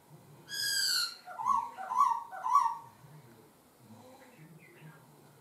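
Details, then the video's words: Laughingthrush singing with switching, varied phrasing: a rich harmonic note, then three loud rising-falling warbled notes about half a second apart, followed by quieter scattered twitters. "chim khướu hót hay đảo giọng"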